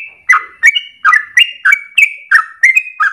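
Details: Trucukan, the Yellow-vented Bulbul, delivers energetic ropel singing used as a training lure: short chirpy phrases with a bright upper note sliding into a lower, fuller one, repeated roughly every third of a second.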